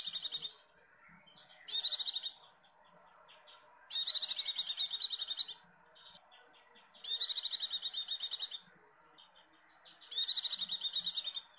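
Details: Female Javan white-eye in breeding condition giving rapid, very high buzzy trills, bursts of under a second to nearly two seconds repeated every two to three seconds, with silence between.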